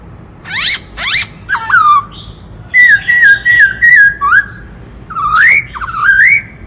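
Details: Varied kích trống song of a White-cheeked laughingthrush, meant to rouse males: steep upswept whistles, a falling note, a series of even warbled whistles, then bright rising slurs. Background is quiet.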